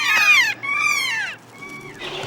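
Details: Kea, the mountain parrot of New Zealand's Southern Alps, giving the call the Maori named it after: three loud, drawn-out screeching cries with rich harmonics, each sliding downward, the last one thinner and fading.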